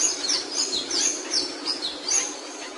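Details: Capuchino seedeater singing: a clear series of high, sweet downslurred notes, about six in under three seconds, evenly spaced and fairly loud, over a light hiss.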